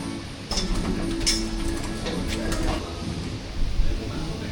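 People talk indoors amid metallic clinks and tool knocks, with no animal sound.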